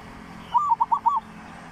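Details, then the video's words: A zebra dove call offered as a lure sound. It is a short, soft rolling coo of four quick notes, rising and falling, lasting under a second against quiet background hiss. "เสียงนกเขาชวา เสียงสำหรับต่อ เสียงนกสามจังหวัด"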